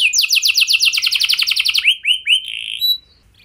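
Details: Canary song used to provoke other canaries into singing: a rapid run of high descending notes about two seconds long, then a few separate upward-hooked whistles fading to quiet.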